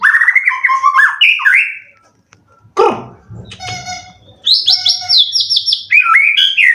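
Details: White-rumped shama kept caged for song contests in Indonesia: fluid whistled phrases, a pause with a harsh low squawk and rustling, then a high, fast trilling run and swooping notes.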